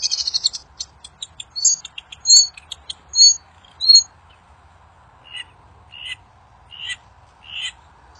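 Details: Wild songbird whose voice draws quick replies from other birds: a burst of sharp, high metallic chips and twitters, then well-spaced single whistled notes about every second. A low steady hum runs underneath.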